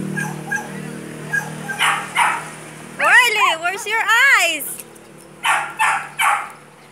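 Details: Pet bird at a vet visit copying a dog's bark: a burst of wavering, warbled barking notes in quick succession, between spaced bark-like yaps and a person calling out.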